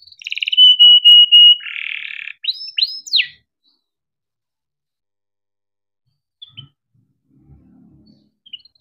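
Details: Short canary phrase of the 'gacor ngerol' kind, played to stimulate other canaries: a steady whistled note and buzzy roll, a few upward sweeps, then near silence with faint chirps.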